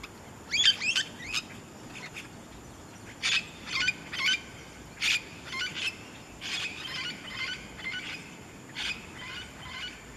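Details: Great-tailed grackle recorded on the Atlantic coast at Rincón del Mar, Colombia. It gives harsh, broadband clacking notes in short bursts, a quick cluster at the start, then separate notes about every half second. A faint steady high hiss sits underneath.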